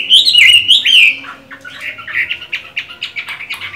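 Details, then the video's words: Moulting caged Chinese hwamei, still singing well: loud warbled whistled phrase, then softer rapid repeated notes. "Họa mi hót hay, mắt lục đậu, vẫn phong độ khi thay lông"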